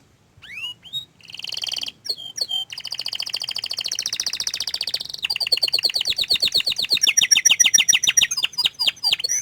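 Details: Canary described as shy to show its face, singing a bouncy warbling song: a few sweeping whistles, then fast buzzy trills at varied speeds, about 140 notes per minute, loud and clear indoors.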